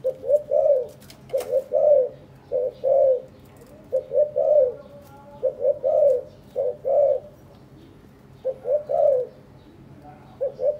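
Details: Spotted doves, a caged breeding pair kept together for three days, preening each other and carrying material to build a nest; low, soft cooing phrases of a few notes each, the last one drawn out, repeated every one to two seconds.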